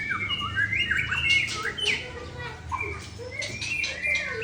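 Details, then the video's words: Drooping-tailed Aceh white-rumped shama pours out a long single-breath phrase of rich, looping whistles and quick slurred notes, with brief pauses and faint low background rumble. "Murai Aceh Ekor Klewer Tarikan dalam satu nafas panjang"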